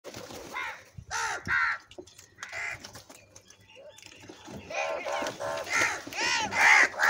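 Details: Crows crying continuously while fighting and feeding: loud, harsh, arched caws in quick irregular series, several birds overlapping, with quieter pauses between bursts and faint background chatter.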